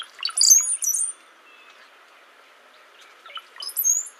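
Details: Brown-headed Cowbird giving two short songs of just a couple of notes, each a liquid, bubbling gurgle like dripping water that ends in a thin, very high whistle.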